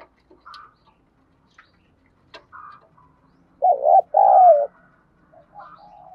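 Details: Spotted dove, "đồng thổ" voice, cooing to trigger replies from decoy doves. Soft scattered notes and clicks lead into one loud two-part coo, then quiet low murmurs.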